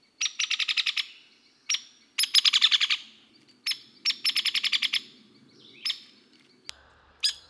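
Hairy Woodpecker giving sharp, high rattling whinnies, quick runs of notes at an even pitch, with single sharp 'peek' notes between bursts.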